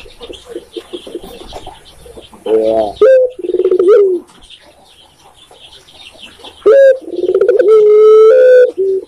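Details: In Indonesia, a tekukur or spotted dove starts with faint murmuring, then delivers two loud phrases of deep cooing. Each holds a quick upturned note, a pulsed rolling section and a smooth lingering coo.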